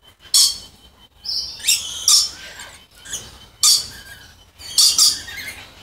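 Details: Moluccan red lories of a pure subspecies giving sharp, very high, harsh screeches in short bursts separated by brief pauses, some shrill and hissing, with faint background chatter between calls.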